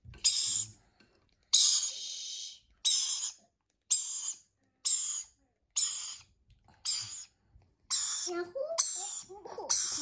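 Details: Hand-fed lorikeet babies make a steady series of short, harsh hissing rasps, about one each second, nine in all. Faint squeaks come near the end.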